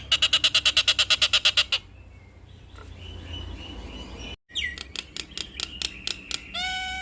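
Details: Jalak Nias (Nias hill myna), a kept bird in full vocal form showing off its repertoire, gives a fast series of about a dozen sharp, high chirps, then a pause and a rising whistle, followed by quick clicking notes and a bright rising note.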